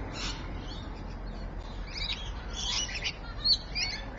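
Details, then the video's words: Afternoon rainbow lorikeet calls at Evans Head, 26 May 2012: shrill, grating chirps and screeches in clustered bursts, rising in loudness toward the end, over low steady noise. "Rainbow Lorikeet (Evans Head)"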